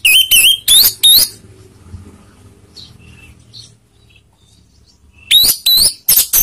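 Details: Provoking lure song of an Orange-headed thrush: four quick, ringing upslurred whistles with rough overtones, a quiet gap of several seconds with faint sounds, then another tight series of whistled phrases.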